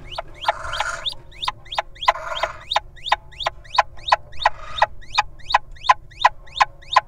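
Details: Wild little owl at a nest box, on guard while its mate goes inside: a steady run of sharp, upward-flicking yelping notes, about three per second, with brief rustling bursts in between.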